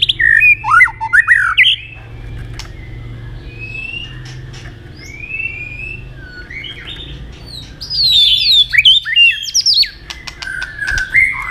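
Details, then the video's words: Fighting song of a White-rumped shama, played to train other birds: bursts of rich whistles and rapid warbled notes, a quieter gap of soft whistles in the middle, and steady low rumble beneath. "chòe lửa hót đấu"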